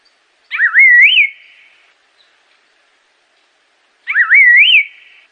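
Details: Assam laughingthrush song: a loud whistled phrase that dips, wavers, then rises to a peak before falling, about 0.8 seconds long, given twice about 3.5 seconds apart, against silence.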